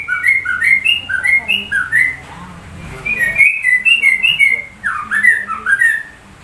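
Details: Sooty-headed bulbul delivering shama-like song: a fast chain of bright slurred whistles, paired up-and-down notes repeated in rhythmic runs, one brief break, then more rolling whistled phrases.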